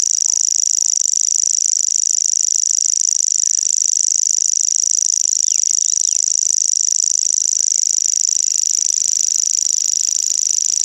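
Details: Common grasshopper warbler (Locustella naevia), song.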